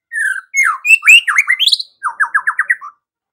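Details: White-rumped shama, a lively singing bird, delivers varied song: a descending whistle, sharp swooping notes, then a fast rapid series of five buzzy, downward-slurred phrases; clean background with no other sounds.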